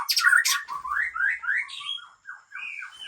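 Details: A white-rumped shama, original Aceh breeding stock from Lamteuba, opens with loud harsh bursts. It then climbs through a series of rising slurred whistles and ends with a string of quick downward-bending notes.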